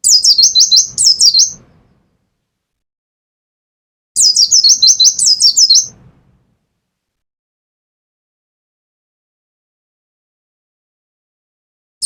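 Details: Caged mountain white-eye from Pacitan, a kept songbird, giving two bursts of rapid high twittering phrases, each about two seconds long of quick descending slurred notes, separated by a long silence, with faint low rustling underneath.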